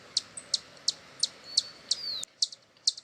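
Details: Hummingbird in Brazil giving short, sharp high chips at about three per second, a few thin faint tones trailing between them, over a soft hiss of background noise.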